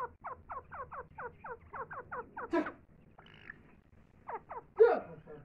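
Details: Grey francolin with its chicks at feeding time, giving a quick, even string of thin descending peeps. A brief pause follows, then a few more peeps and a louder, harsher note near the end.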